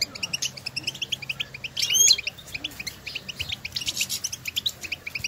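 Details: Goldfinches recorded in nature calling to each other. Dense, rapid high twittering runs on, with one louder, harsher burst near the middle, then steady chirping resumes over soft background hum.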